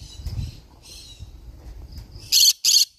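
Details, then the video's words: Low rumbling background noise gives way to a green-cheeked conure's single loud pair of harsh, buzzy screeches near the end. "green cheek conure parrot sound"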